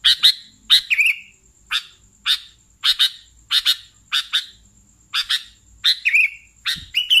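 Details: Sooty-headed bulbul singing vigorously: crisp chirps in ones and twos, repeated roughly every half second, with a few short slurred whistles between. A steady faint high tone lies beneath.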